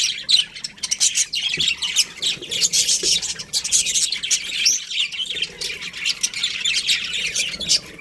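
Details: Chirping budgerigars in a colony, many birds calling at once in a busy, scratchy warble of rapid high notes, with a brief lull near the middle.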